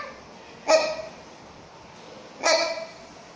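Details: Rhinoceros hornbill of the subspecies Buceros rhinoceros silvestris, kept in Chester Zoo: two loud, harsh, honking calls rich in overtones, about 1.8 seconds apart, over a quiet background.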